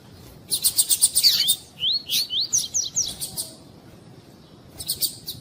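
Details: Rapid chattering chips give way to a string of rising, slurred whistles from a double-collared seedeater of the tui-tui fibra type, with a female calling to excite males; more chips follow after a pause.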